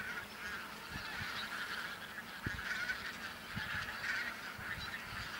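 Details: Couple of thousand bean geese gathered in a field on Texel, Holland, in late November 2014. A steady wall of layered honking fills the recording, with occasional soft low thumps underneath.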